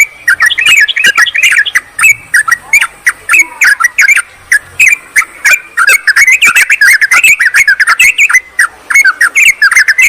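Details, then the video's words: Yellow-vented bulbuls calling a rival, used to attract wild or silent birds; sustained busy chattering with rapid sharp chirps and clicks, growing denser in the second half. "suara pikat burung trucukan PALING AMPUH TERBARU/Trucukan memanggil lawan"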